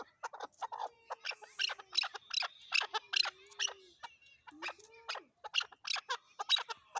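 Chukar partridge giving harsh, clucking chuck notes in quick, uneven bursts of about two per second, with a low, sliding tone running beneath.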